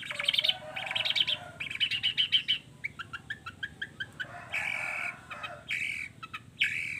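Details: Long-tailed shrike giving a varied, combination-packed song that draws other shrikes to reply: rapid buzzy trills, then a string of sharp clicking notes, then harsh drawn-out rasping phrases with squeaks between them.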